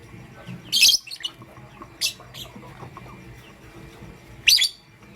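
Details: Lovebirds in pastel gray and green colour forms call in the morning with a few sharp, shrill chirps spaced a second or more apart over a steady low background hum.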